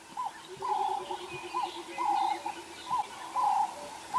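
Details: Ring-necked dove in the dawn chorus of a wooded drainage line on a sunrise safari drive on 5 October 2016 gives hoarse cooing phrases about once a second, over steady rapid low pulsing from another bird and faint chatter.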